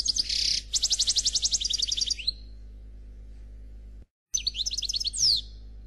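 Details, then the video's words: A black Khalwi European goldfinch pours out flawless song: a harsh buzzy note, then a rapid run of repeated bright chirps ending in a slurred whistle, a gap, then more quick twittering. "Chardonneret Noir Khalwi Chant sans fautes"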